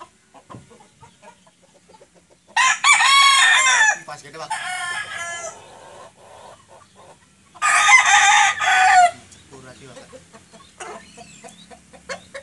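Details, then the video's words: Crowing of a white 'sweater' rooster with no comb: two loud, harsh, drawn-out crows, each about one and a half seconds with a stuttering tail, five seconds apart, amid quiet low clucks and background noise. "Penampilan Kokok Ayam Sweater Putih Tanpa Jengger."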